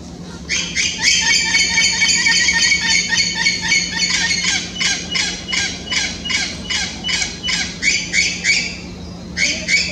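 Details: Wild orange-winged amazons in the Amazon in late afternoon, calling to the flock before going to roost, squawk harshly and rapidly, about three raucous notes a second, with several birds overlapping over a steady low hum.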